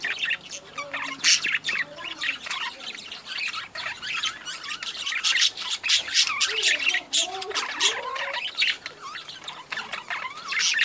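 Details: Budgerigar breeding colony in full chatter: continuous rasping squawks and chirps from many birds overlapping into a loud, scratchy wall of sound.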